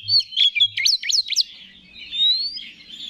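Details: Oriental magpie-robin; song; provoking other males into singing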